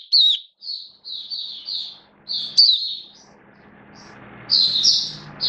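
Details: Oriental white-eye in build-up form, dated 19 September 2022, singing high, clear slurred notes and smooth whistled phrases, fading to softer warbles later, with faint low background hum.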